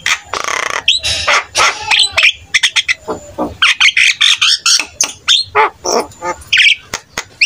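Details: A vigorously singing Javan myna with a richly varied repertoire: harsh scratchy phrases, then a long run of quick, evenly spaced chirps and clicks.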